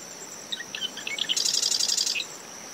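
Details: Early morning marsh wren song from dune vegetation surrounding its nest at SMNWR, brisk post-storm winds: a few scattered chips and ticks build into a fast, buzzy, mechanical rattle, with a constant high cricket tone and surf noise beneath.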